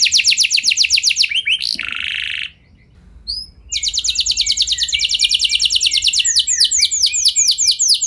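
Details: Domestic canary in full song, used as a lure to get other canaries singing long rolls: quick falling notes, a short rasping burst, a near-silent gap, then a long, steady, rapid trill.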